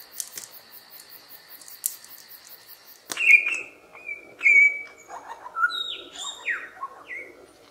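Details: Lyrebird in Australian garden or forest habitat, a mimic that copies sounds. After three quiet seconds with faint high ticking, clear whistled notes begin: short rising and falling slurs and sweeps with irregular spacing.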